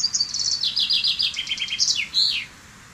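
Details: A full song of the common chaffinch: high rattling notes descending in steps through a series of short trills, ending in a brisk downslurred flourish before silence.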